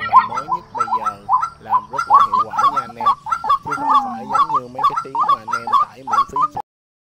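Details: White-breasted Waterhen recording used as a night-netting lure for migrating birds: harsh, nasal croaking notes, about two each second, in a busy, uneven run that stops abruptly.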